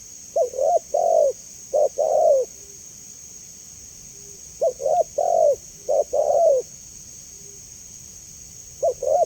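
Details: Spotted dove cooing repeatedly, a clear sound meant to draw responses from other doves: several phrases of low, throaty notes, short notes leading into a longer drawn coo, with brief soft notes in the gaps and a steady high hiss.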